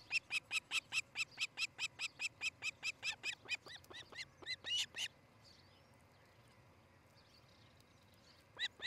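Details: Osprey calling at a Montana nest near Charlo, on a camera recording from a July 2018 morning: rapid, evenly paced, high piping chirps for about five seconds, then near silence before the notes start again.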